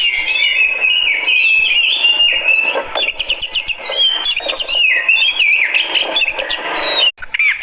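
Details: Fighter Oriental magpie-robin (kacer) from Indonesia reacting to another bird with a dense, energetic stream of varied whistles, harsh chatters and high mimicked trills, run together almost without pause, ending in a short break and abrupt notes.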